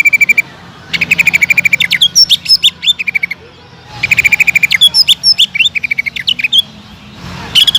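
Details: Two energetic phrases from a greater green leafbird used as a lure for other cucak ijo: quick pulsed trills mixed with sharp high whistled flicks and chattering notes, each phrase about three seconds long.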